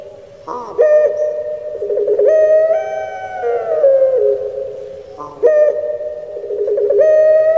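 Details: Pet puter pelung, a Barbary dove in Indonesia, singing the crying 'menangis' style: a gurgled onset, then long resonant moaning coos that rise slightly, hold and sag downward, repeated twice.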